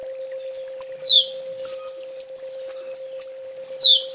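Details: Olive-backed sunbird (kolibri ninja) master recording in 'full tembak' style, used to train home-kept birds: scattered thin, very high chips and short sharp whistled notes, some rising, spaced irregularly, over a constant low electrical hum.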